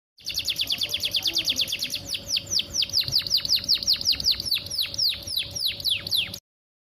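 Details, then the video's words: Canary song used as a lure to stimulate other canaries to sing: a fast series of about a hundred steeply descending high whistled notes, repeated rapidly with a steady faint hum underneath. "PANCINGAN KENARI BAHAN ISIAN ISTIMEWA"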